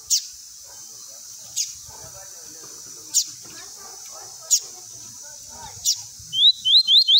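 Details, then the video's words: Lined seedeater singing a tui tui style song, used for training young birds: sharp high notes spaced about a second and a half apart, then a fast run of four rising whistled notes at the end over faint background murmur. "COLEIRO GOLAO TUI TUI PRA ENCARTE"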